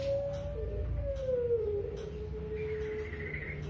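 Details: A Barbary dove (puter pelung) gives one long, smooth, melodious coo that slides slowly down in pitch for over three seconds, over a low background rumble.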